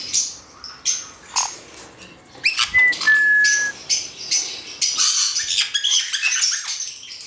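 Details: Male black-headed caique, hand-reared and captive, giving scattered sharp squawks, a clear two-part whistle, then rapid chattering screeches that grow denser toward the end.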